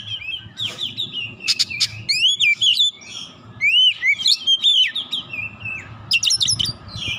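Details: Oriental magpie-robin (kacer) song as a tutor recording for songbird training: varied whistled phrases with rising and falling slurs, mixed with harsh clicks, over steady low hum.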